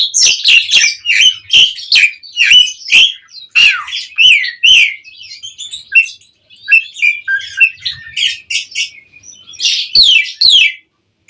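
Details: Asian pied starling in 'mompa' singing, used as a lure recording to get other birds singing back: rapid bursts of high, varied chattering notes and short squawks, many sharp strokes with brief pauses, mostly above mid pitch.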